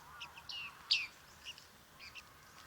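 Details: Bearded reedling in Liepāja, Latvia, recorded July 2023, giving a few thin high notes and one louder downward-slurred ping near the middle, with quieter calls before and after.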